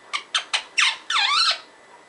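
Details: Parrot gibberish heard as three quick sharp chirps followed by a longer harsh, wavering squawk, all high-pitched and loud.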